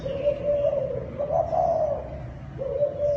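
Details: Kích bổi call of a Thai dove: one near-continuous mid-pitched coo that swells and wavers over three seconds, dipping briefly before resuming.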